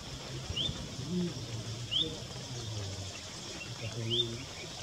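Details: Nesting, ringed striped pipit calling: three thin, quick, upslurred high notes spaced over four seconds, set against a steady low background rumble.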